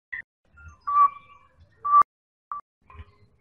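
A Straw-headed Bulbul gives loud, clear whistled notes in short bursts, a mid-pitched phrase then pauses, with a sharp click partway through.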